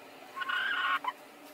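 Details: Hen vying with another hen to lay an egg in the same place; one loud harsh drawn-out squawk lasting about half a second, then a short clipped note.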